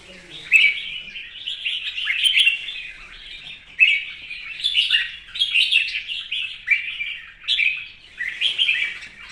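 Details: Morning and contest song of a red-whiskered bulbul: a steady stream of lively, chirpy warbled phrases, each quick and undulating, with brief gaps between them.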